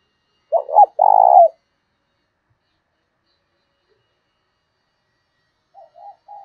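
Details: Spotted dove decoy giving its fight-inciting 'thổ đồng' coo. A loud clipped double note leads into a sustained, vibrating coo. A long silence follows, then faint short coos at the end.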